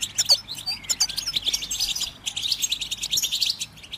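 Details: Goldfinch twittering, played to stimulate birds to sing: a steady stream of high, sharp chirps and tinkling trills with occasional quick downward slurs, evenly paced throughout.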